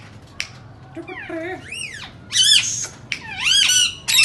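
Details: Indian ringneck parakeet calling indoors, a mix of sweeping whistled notes that arch up and down, soft low murmurs, and sudden loud harsh squawks toward the end.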